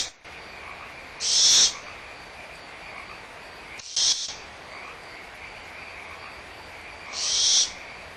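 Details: Barn owl young at Audubon Starr Ranch Sanctuary bickering over leftover food with the mother nearby: three noisy screeches, one short and clipped between two longer rasping bursts, over a constant high-pitched background tone.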